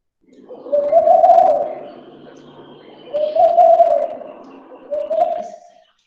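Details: Laughing dove call, a bird named for its laugh-like voice and a grain eater that breeds mainly September to November; three soft cooing phrases, each a low bubbling coo, spaced about two seconds apart with quiet between.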